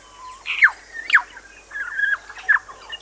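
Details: New Zealand bellbird singing on Little Barrier Island, New Zealand: clear, liquid notes with sharp, downslurred, bell-like strokes, about four phrases in three seconds, mid to high pitch, over faint background hiss.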